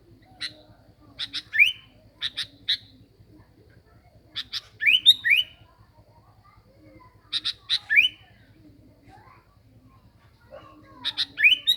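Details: Sooty-headed bulbul (kutilang) as a lure: spaced phrases every two to three seconds, each a few sharp clicks then one or two rising whistles, with quiet gaps and a faint steady hum between.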